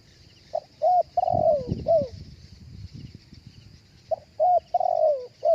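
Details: Spotted dove cooing live, recorded for playback through a speaker to lure other doves: two bursts of mellow low coos, short notes then a longer falling coo, separated by a quiet gap, with a steady thin high whine throughout.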